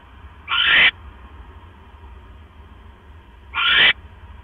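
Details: Owl arriving at its nest with a mouse, 12 October 2015, 9:40 PM. Two rasping, breathy screeches three seconds apart, each about 0.4 seconds long, over a low background hum.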